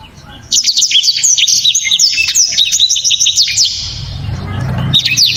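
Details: Blacktrod song, prized for loud, dense and very clear phrasing: rapid high twittering of sharp upslurred and downslurred whistles for about three seconds, a soft noisy gap, then another shrill phrase.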